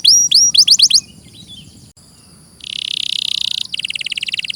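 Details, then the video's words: Canary song, clearly recorded: several quick sweeping whistles, a short quiet gap, then a buzzing high rattle of very fast notes, changing to a slower pulsed trill. "Masteran suara burung KENARI"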